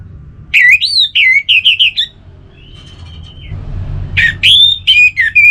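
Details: Orange-headed thrush, relaxed song: varied phrases of rich warbling whistles and quick repeated notes, a thin sustained whistle mid-way, then another bright burst of looping notes.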